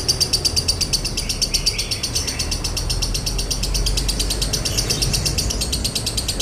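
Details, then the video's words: Lovebird in 'konslet' style with a dry tone, recorded to train and provoke other birds: sustained high scratchy chattering in fast pulses, loud at the start, then continuing steadily over a rumbling low background. "MASTERAN LOVEBIRD KONSLET NADA KERING | PANCINGAN SUARA LOVEBIRD KONSLET"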